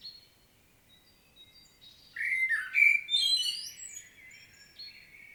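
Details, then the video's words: After a quiet start with faint background birds, a common blackbird bursts into a loud phrase: mellow fluted notes rising into a bright, chattering high twitter. Recorded in Świnoujście, Poland, 25 September 2022. "Blackbird's solo"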